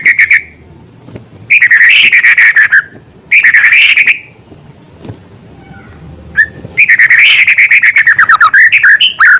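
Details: Song of a white-rumped shama carrying small-bird filler material, delivered in bursts of fast, buzzy, rattling trills separated by quiet gaps of one to two seconds, the last burst breaking into rapid varied chips.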